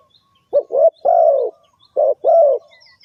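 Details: Spotted dove calling as a trapping lure, giving a three-note mellow coo phrase and then starting it again after a short pause, about a phrase per second and a half, faint high chirps at the end.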